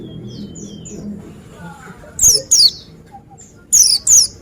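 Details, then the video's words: Oriental white-eye calling: faint thin high whistles at first, then two pairs of loud, sharp, downward-sweeping chirps about a second and a half apart. "Dengar Suara Burung Pleci Ini"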